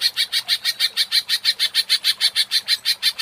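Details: Lure recording of a greater green leafbird in agitated ngentrok singing: an even, rhythmic series of about twenty bright, high chattering notes, roughly six per second, over a quiet background.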